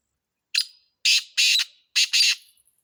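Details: Black francolin, known locally as kala teetar, calling: a brief scratchy opening note followed by four loud, harsh, grating bursts in quick succession, rasping and broadband, with a clean quiet background.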